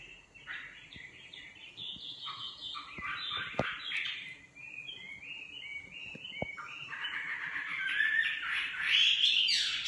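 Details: A varied nightingale song of scratchy phrases, sharp clicks and a row of short whistled notes, ending in a loud, harsh, rising flourish.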